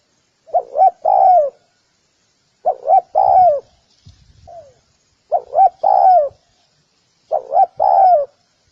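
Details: Spotted dove repeating its cooing phrase four times, roughly every two and a half seconds: two short notes then a long falling coo, with a faint softer coo in one gap.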